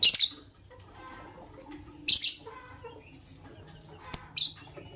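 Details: Fischer's lovebirds, a white albino and a pastel green, chirping in the morning: three loud, shrill, high chirp bursts about two seconds apart, with faint lower warbling notes in between.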